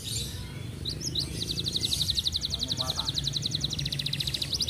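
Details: Caged F1 canary, a regional practice-contest achiever close to moulting, delivering a fast, dense trill: a long run of evenly spaced, rapidly repeated high notes after a few short chirps, with a low background hum.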